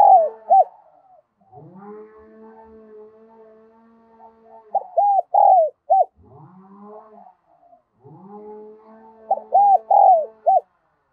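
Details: Spotted dove decoy bird calling to lure other doves, voice style called đồng son. Three bursts of loud, hollow cooing phrases, separated by long, steady, low humming tones with layered harmonics that sweep downward at the ends.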